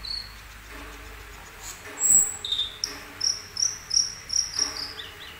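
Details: Asian glossy starling (cucak keling), glossy black-green with bright red eyes, giving high thin whistles followed by a series of about six short bright chirps repeated roughly every third of a second.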